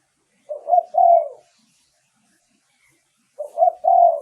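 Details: Spotted dove cooing used as a lure for wild doves. There are two clear three-note phrases, each with a short soft opening, a quick rising coo and a sustained round final note. The phrases are separated by about two seconds of quiet.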